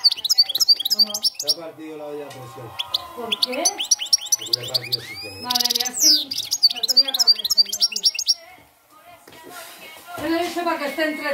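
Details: European goldfinch singing in the campero style, rapid high twittering and tinkling notes with buzzy trills in quick runs for about eight seconds, with a person talking faintly underneath, then a quieter pause.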